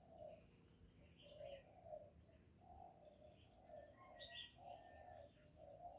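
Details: Spotted dove, thổ voice, giving calling and cooing notes meant to excite males. Soft low coos follow one another almost continuously, while other birds add thin high chirps and trills.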